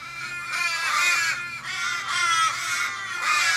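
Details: Flock of Australian ravens, fifteen or more, circling a fallen raven in a Kellyville street, Sydney, on 1 July 2012. Plaintive, nasal wails recur about once a second, blurring together, each with a falling tail.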